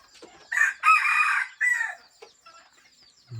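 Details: Hybrid red junglefowl breeding rooster crowing outdoors at a rural farm; a short broken crow of several harsh bursts over about a second and a half, followed by faint clucks and a low thump at the end.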